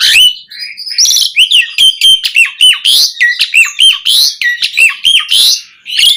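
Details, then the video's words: Asian pied starling performing a rich, variation-filled song for tutoring and luring kept starlings: steady stream of short, loud, squeaky and whistled phrases, roughly two or three per second, mixing rasps with clear sliding notes. "Suara Jalak Suren Gacor Full Isian Variasi"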